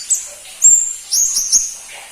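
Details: Crimson-breasted flowerpecker (pentis pelangi), rarely kept by hobbyists: a short burst of very high, thin, slurred whistles, a few sharp notes close together in about two seconds.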